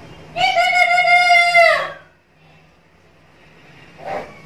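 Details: Black-capped lory (Lorius lory), a chatty, noisy bird used as lure/master audio, giving one loud, drawn-out nasal squawk lasting over a second, then a brief harsh note, over a low engine hum.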